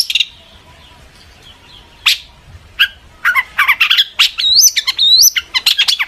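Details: Long-tailed shrike singing intensely as a lure to make other shrikes reply: a thin drawn note and scattered chips, then a quickening jumble of rapid chirps, harsh bursts and rising whistled slurs.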